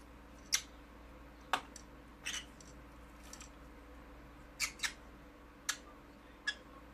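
A conure gives short, sharp squeaky chirps, about seven over several seconds at an irregular pace, against a quiet indoor background.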